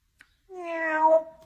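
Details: An African grey parrot, a mimic of people, cats, horses, cows and dogs, gives a single drawn-out, cat-like meow, nasal and steady, about a second long, after a faint click, likely answering "how does the kitty go?"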